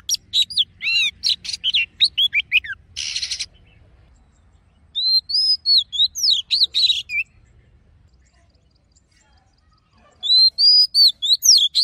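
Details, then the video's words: Oriental magpie-robin singing a wild-type ("forest voice") song: rich, varied phrases of clear whistles, sweeping slurs and harsh buzzy notes in bursts with brief pauses between phrases. "Choè than hót giọng rừng hay nhất"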